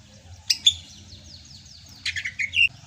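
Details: Short burst from a Sumatran greater green leafbird singing in gacor style during the rainy season: two sharp whistled notes, a pause, then a rapid chattering phrase ending in a clear whistle.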